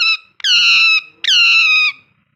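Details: Pet ringneck parrot, said to be talking and having fun indoors: a short note, then two long, level, harmonic whistled tones of about half a second each, separated by a brief pause, in a quiet room.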